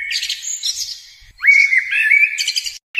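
A sunbird gives high, thin twittering notes, then a sharp rising whistle that holds steady for about a second, ending in buzzy chips.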